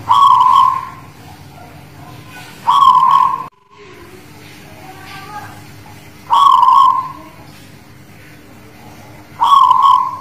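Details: Zebra dove of the local guling Murio type from the Muria region near Kudus, performing: four vibrant, purring coos with abrupt starts, evenly spaced about three seconds apart, with a short quiet gap midway and a faint steady hum.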